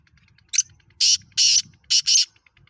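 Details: Kala Teetar, a Black francolin from Pakistan, gives its grating call: a brief scratchy opener, then two long harsh buzzy notes and a tight final pair, all in under two seconds, with soft low rumble behind.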